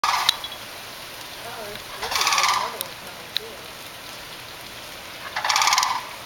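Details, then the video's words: In a residential neighbourhood, a group of cranes gives three loud, rattling, trumpet-like calls about three seconds apart, with fainter wavering calls in between. "Cranes Noise"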